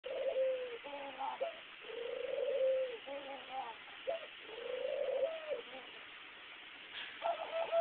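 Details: A pet dove cooing while bobbing its head, recorded on a cell phone: low, soft hooting coos rising and falling, long drawn notes repeated about every one and a half seconds, with a brief higher chirp near the end.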